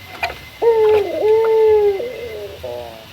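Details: Single rival call from a male local puter, Barbary dove: a brief lead-in note, then a long steady coo that dips at the end, followed by a soft short note.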